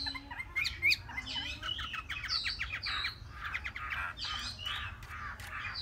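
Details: Three-month-old Chinese hwamei in a lively, varied song of bright whistles, rapid trills and sharp chirps packed closely together, with a constant low hum behind.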